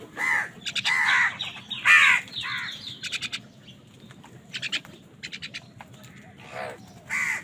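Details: A busy exchange of crows fighting for food, with many rough caws in close succession, some overlapping, mixed with quick stuttering chirps of other birds.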